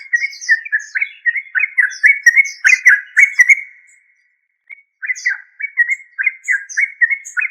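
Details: Fast, rhythmic bubbling of a yellow-vented bulbul (trucuk): dense runs of short throaty notes, a short silence, then another lively run, with scattered high tinkling squeaks.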